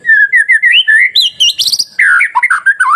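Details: White-rumped shama singing a masteran song meant to stir other shamas into song: a rapid, continuous run of rich whistles. Rolling notes climb into a high buzzy trill, then fall into lower, liquid, warbled phrases.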